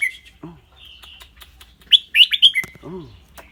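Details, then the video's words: Red-whiskered bulbul kept in a cage sings clearly, mixing song with rik chatter: a fast, bright cluster of four or five whistled notes midway, framed by a man's soft encouraging voice before and after. "นกกรงหัวจุก เจ้าขวัญโชค เสียงใส ๆ ทั้งร้องทั้งริกๆสะใจๆครับ"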